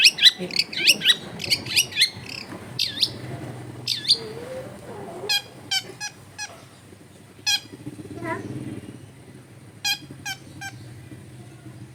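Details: Long-tailed shrike in lively full song, a rapid run of high sharp chirps and short downswept notes, then scattered clipped notes repeated about every second against a low background hum.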